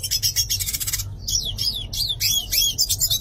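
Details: Brief burst of yellow-faced siskin song: a dry buzzy rattle for the first second, then a series of sharp, high down-slurred whistled notes in quick succession over a faint rasping background.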